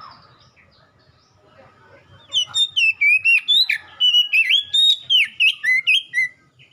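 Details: Oriental magpie-robin whistling as ombyokan material to make cage birds respond; faint low sounds at first, then a lively series of loud whistled notes about four per second with varied up-and-down slurs.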